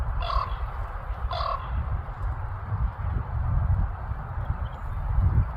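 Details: Alaskan common raven near Anchorage: two quick, coarse, nasal calls in the first two seconds, then only a low background drone of wind or traffic.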